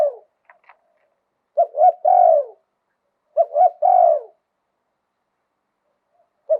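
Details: Thai spotted dove, wild-voiced liu tan singing: a tail of a coo, two faint clicks, then two full phrases of paired short coos and a long descending coo, another phrase beginning as it ends.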